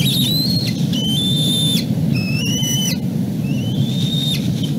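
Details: Fallen bald eagle eaglet calling from beneath the nest while the adult male and its nestmate watch from above. Long, sustained whistles at a steady pitch, some ending in a sharp downward slur, with short pauses between them over constant low background noise.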